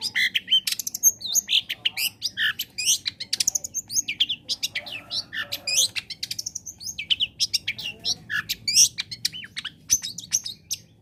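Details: Vigorous long-tailed shrike song used to encourage other shrikes to sing: a dense unbroken stream of rapid chattering, varied whistles and sharp chips with hardly a pause.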